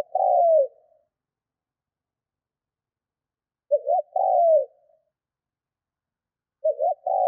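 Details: Decoy spotted dove kept for training, cooing in the 'thúc' decoy style meant to provoke wild doves; low mellow phrases of two quick short notes and a longer falling coo, about three seconds apart, in silence.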